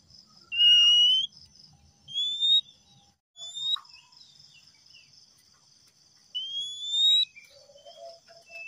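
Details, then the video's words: Male Oriental magpie-robin giving long, pure rising whistles every couple of seconds, with a few higher thin notes, over a steady insect drone. "siulan kacer jantan"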